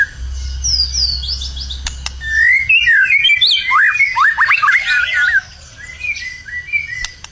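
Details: White-rumped shama in full, lively song, said to be ready for a singing competition: a few thin high notes, then a loud run of varied whistled phrases with quick rising and falling slurs, ending in softer scattered notes over a low hum.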